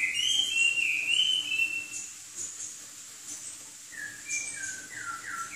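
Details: Hwamei of southern China gives a sweeping, wavering whistle lasting about two seconds, a quiet gap, then a string of short downward-slurred whistles repeated in quick succession.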